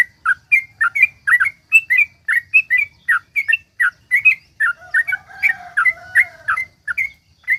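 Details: Sooty-headed bulbul in a long, rapid song used to provoke other bulbuls into singing; a steady torrent of short slurred whistles, roughly three a second, with a faint drawn-out tonal hum behind the later notes.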